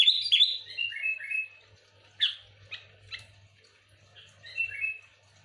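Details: Lure song of a sooty-headed bulbul, lively and full: soft descending whistled notes stepping downward, then a few sharp isolated chirps and another falling whistled phrase near the end; a low hum in the background.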